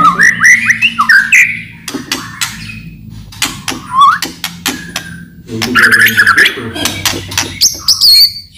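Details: White-rumped shama song used as a lure to make other shamas sing, with loud rattling clicks: looping whistles rising and falling, sharp broadband clicks, then a burst of warbled phrases and high slurred notes at the end.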